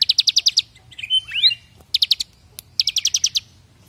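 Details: Bar-winged prinia (Prinia familiaris) song, suited as a master song for training: bursts of six or seven rapid, high, chipping notes, broken by a brief warbled twitter, then the fast series repeats.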